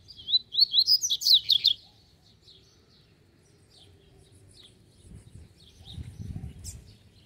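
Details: Double-collared seedeater song in a song-training session, a rapid burst of high, sharp chirped notes in the first two seconds, then quiet with low rumbling background noise and faint distant chirps.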